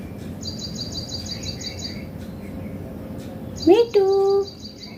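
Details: Indian green ringneck parrot using its natural talking voice: a quick rising harmonic note, then a steady, even, tone-like utterance, over a faint repeated high double-chirp series and low room hum.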